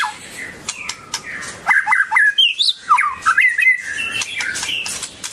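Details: White-rumped shama (Copsychus malabaricus) dancing and singing: after soft clicks, a run of clear whistled notes swooping between low and high, some sharply rising, with dry ticking sounds between phrases.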